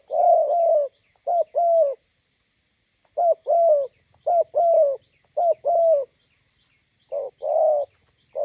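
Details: Spotted dove calls by a roadside in Gia Lai, Vietnam, where a decoy bird meets a wild bird: deep coo phrases of a short note plus a longer one, separated by pauses of one to two seconds, with faint chirps in the background.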